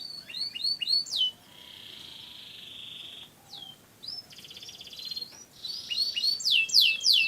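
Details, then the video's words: Canary, a bird kept in Indonesia and descended from wild Canary Islands stock, in lively song: fast descending chirps, a long steady rolling trill, a buzzy rattle, then sharp rising whistled sweeps repeated rapidly. "Burung Kenari Gacor Juara Mantap"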